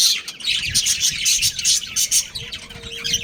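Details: A breeding pair of budgies at home gives quick, rhythmic high chirps, about two or three a second, in a lively scratchy chatter.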